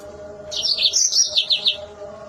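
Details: Mozambique canary giving a piercing burst of fast, high twittering notes that rise and fall over about a second, over a steady low hum.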